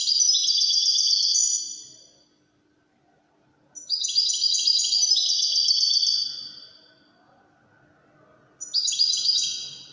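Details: Widani European goldfinch singing fast, jingling phrases about two seconds long, separated by quiet pauses of roughly two seconds, three bursts in all, in a quiet setting.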